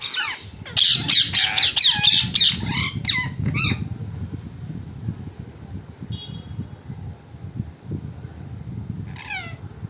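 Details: Wild parrots gathering at a home in the evening, a loud flurry of rapid shrill squawks at first, then fading to a few calls over steady low traffic-like rumble.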